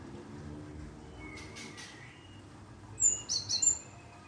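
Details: Java sparrow lure calls meant to draw a reply: after a low, rumbling background, a quick cluster of high, sharp chirping notes arrives near the end, four or so clipped tweets close together.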